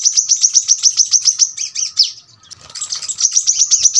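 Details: Brown-throated sunbird (kolibri kelapa, manggar) giving a dense, very sharp 'tembakan rapat' song, used as tutor audio for cage birds: rapid high piercing chirps, several per second, a short break with softer scratchy notes, then rapid chirping resumes.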